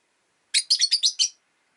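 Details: A fast run of six harsh, high chirps in under a second, from caged rosy-faced lovebirds, five birds beside a window in winter.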